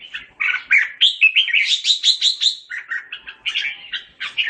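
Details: Singing to gather its flock, a red-whiskered bulbul pours out fast, cheerful chattering phrases of rising and falling fluty chirps, several notes per second with little pause.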